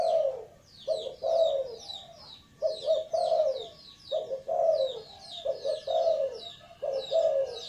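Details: Repeated soft, throaty coos from a spotted dove, paired notes falling at the end and coming in steady bursts, over constant high twittering chirps of another bird.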